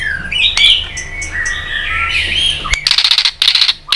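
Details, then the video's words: Competitive song of a white-rumped shama, sung to provoke rivals into singing: fluid looping whistles give way to a run of harsh, rasping tak bursts in fast succession. "Chòe lửa tạch đập đuôi kích thích lửa lên lửa rất nhanh kích chim hót đấu hiệu quả"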